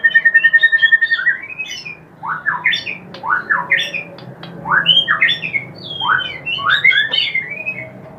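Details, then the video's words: White-rumped shama kretekan meant to stir up rival shamas: a fast buzzy rattle, then harsh upward-sweeping squawks and scratchy whistles in quick irregular bursts over a low background hum. "KRETEKAN MURAI BATU GACOR MANCING EMOSI"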